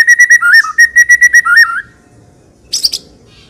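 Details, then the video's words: White-rumped shama, a constant singer full of varied fills, used to get other birds singing: a clear whistled note repeated about a dozen times with twisting slurs between, then silence and a short harsh buzzy burst. "MURAI BATU PILIHAN GACOR TERUS FULL ISIAN MEWAH FULL TEMBAKAN DURASI, SANGAT COCOK UNTUK PANCINGAN."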